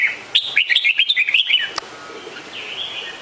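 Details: Red-whiskered bulbul pouring out a fast string of about a dozen cheery, warbled whistles lasting just over a second, followed by fading echo.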